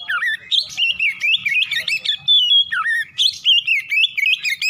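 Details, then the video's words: Morning song of an Oriental magpie-robin, used to stimulate singing: loud, varied whistles with swooping downward slurs and quick upward flicks, delivered in a rapid, almost unbroken stream of notes. "PANCINGAN KACER PAGI HARI CEPAT NGROPEL BUKA PARUH"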